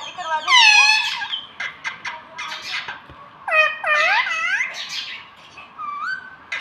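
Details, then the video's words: A pet parrot talks in nasal, arching syllables over a steady hiss, with a loud opening word, scattered clicks and a cluster of curving voiced notes. "Me tota me tota bolne wala tota - batuni sheetan tota - batuni tota"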